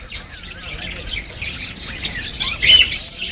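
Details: Young parakeet uttering high, busy chirps and twittering notes, with one brief warbling phrase and a louder chirp late on, recorded on a mobile phone against soft background noise.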